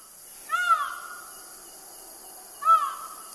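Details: Two loud honking calls from a feral Indian peafowl at Bushlands, south-east Queensland, each a rising-falling harmonic note stretched into a sustained wail, about two seconds apart, with a steady high hiss behind.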